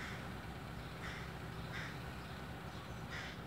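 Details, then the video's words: A young crow fledgling that has just learned to fly begs for food with harsh, hoarse screams in short bursts about a second apart, over a steady low rumble of traffic. "орущий птенец"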